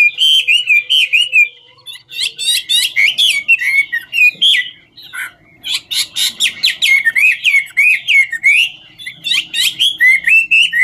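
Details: Whistling as it dances, a 'ngũ trường' Chinese hwamei (Garrulax canorus) gives loud bursts of quick, swooping whistled notes, roughly four per second, separated by short silent gaps.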